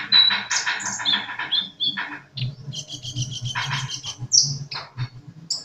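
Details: Energetic sunbird song: harsh, buzzy rasping phrases mixed with thin high whistles and sharp chips, fairly continuous, over a low steady hum.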